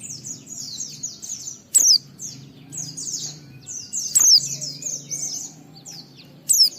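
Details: White-eye song intended to set off other white-eyes: a steady run of soft, high warbled notes punctuated about every two and a half seconds by a loud, sharp descending whistle, over low hum.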